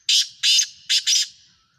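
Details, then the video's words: Sindhi Black Francolin from Pakistan calling: four loud, harsh, rasping bursts delivered as two pairs within about a second and a half, each one grating and broad, with a quiet background. "Sindhi Kala Tetar Awaz, Black Francolin Partridge"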